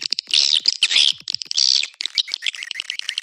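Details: Calling sound for attracting swiftlets, Anak Muda style: a few rasping buzzy notes, then a run of fast, sharp, high ticking chirps that speed up toward the end.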